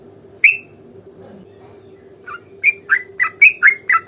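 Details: Sooty-headed bulbul in fighting song, a bait song to get other bulbuls singing; one lone note, a long quiet gap, then a row of six or seven rich bubbly notes building up fast over a faint steady hum.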